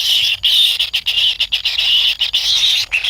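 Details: Kingfisher chicks in a wild nest beg impatiently for food from the parent: high, harsh buzzy bursts of uneven length, separated by short gaps.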